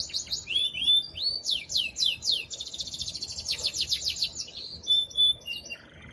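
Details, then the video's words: Male canary in excited, very strong song meant to stimulate the female to mate: quick sweeping whistles, a run of rapid downward-slurred notes, a dense buzzy roll, then a few clear sustained whistles. "تغريد قوي جدا كناري هائج لتسميع الفراخ | canary singing"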